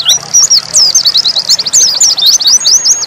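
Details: Brief nembak song of an Oriental white-eye (pleci dakun): a continuous stream of high, zigzagging whistled notes, quick and chattering, loud and close.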